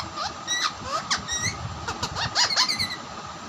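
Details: Captive raw and ringneck parrots fighting with each other; sharp high squeals and rising screechy squawks in quick bursts, overlapping with steady high tone and background noise.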